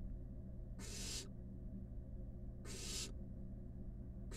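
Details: Wild barn owl nestlings, five of them snuggled together in a nest box, produce breathy rasping hisses: two long bursts nearly two seconds apart, then a third starting at the end, all over a constant low hum.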